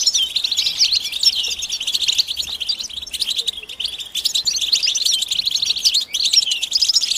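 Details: Goldfinch mating and readiness twitter, said to draw males out of silence: continuous fast chirping and tinkling with a brief softer patch near the third second, then strong bursts.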